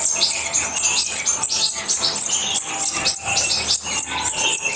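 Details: European goldfinches bred in captivity in Morocco give a bright, continuous twittering of quick high tinkling notes and buzzy trills, overlapping almost without pause.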